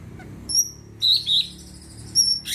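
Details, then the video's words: Greater green leafbird, sung to prompt other birds, giving thin high whistles and two short warbled notes with pauses between, low hum in the background. "Cucak ijo gacor di jamin bikin yang lain ikut rajin bunyi dan emosi"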